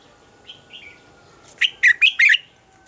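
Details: In the double-note mature wild style, a red-whiskered bulbul's morning song, used to train singing: two soft slurred notes, then four loud, clear, warbling notes given in quick succession and ending abruptly.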